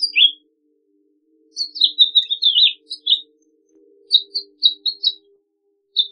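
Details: Jumbled, slurred warbling phrase of a House Finch, followed by a string of short, sharp chirps, with a single note closing the segment.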